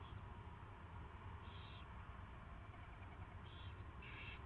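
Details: Owl at its first feeding, recorded 24 February 2016 at 2:15 PM: four short, breathy, hiss-like bursts at scattered intervals, faint over a steady low electrical hum.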